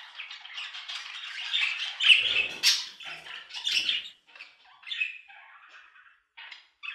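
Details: Budgerigar chatter of scratchy warbles and chirps, loudest early, then thinning into scattered short notes with a faint low thud.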